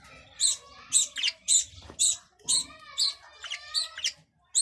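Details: Budgerigar calls, with quick, high chirps and buzzy squawks, some with a warbling tonal edge, repeated around twice per second.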